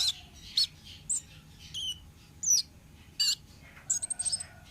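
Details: Song of a wild orange-headed thrush, used as a lure: scattered short high whistles and slurred notes with pauses between, ending in a quick stuttering burst, over a soft low hum.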